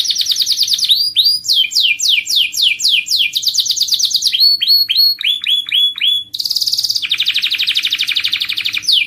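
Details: Canary singing to encourage other birds to sing: varied trilled tours of rapidly repeated notes, downward-slurred syllables, looping rolled phrases, and a buzzy sustained high trill, each section changing abruptly to the next.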